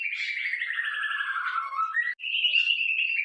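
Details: White-rumped shama song used as a training model for captive birds: a long buzzy warbling phrase descending from about 2.5 to 1.5k, a brief break, then a sustained, slightly wavering high whistle; no other sounds.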